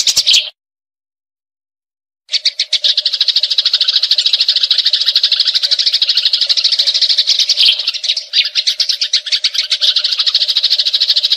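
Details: A fighting Eurasian tree sparrow starts, goes silent for nearly two seconds, then resumes a long, dense, rolling chatter of harsh high chirps, loosening near the end, over a low steady hum.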